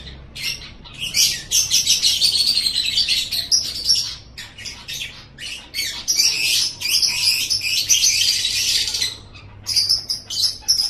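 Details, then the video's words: Lovebird chattering intended to get pet lovebirds chattering, a busy stream of harsh squawky and twittering notes in several long bursts with brief quiet gaps. "suara ini DIJAMIN 100% bisa bikin LOVEBIRD ANDA NGEKEK NGEKEK"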